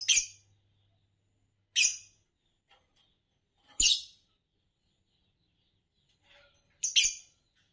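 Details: Green Fischer's lovebird from competition song birds in Indonesia, giving short shrill piercing chirps spaced about two seconds apart against a quiet background with a faint low hum.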